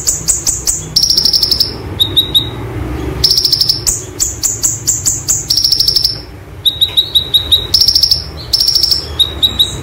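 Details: White-eye (konin) sings high, rapid rolling trills and sharp chipping bursts, used as a tutor recording; phrases repeat every second or two over a faint background hum.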